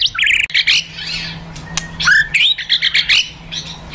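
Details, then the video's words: White-rumped shama, a fighter murai, in a provoking 'kretekan' and 'tembakan' song meant to rouse emotion: fast jumble of high chirps, sharp rising whistles and quick clicks with brief pauses between bursts. "Kretekan Dan Tembakan Murai Fighter Pancingan Emosi Murai Paling Efektif"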